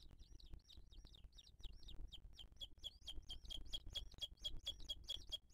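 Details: Booted eagle nest in 2023, with the female feeding the chick amid attacks by other birds. Rapid, high, arched notes repeat about three per second, each ending in a sharp click, over low background noise.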